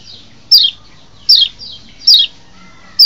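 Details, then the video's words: White-eye known locally as kecial lombok, recorded as a lure to excite wild birds. Three clear, loud, high notes each slide steeply downward, spaced under a second apart, over a quiet background hum. "masteran untuk mancing birahi burung kecial di alam liar"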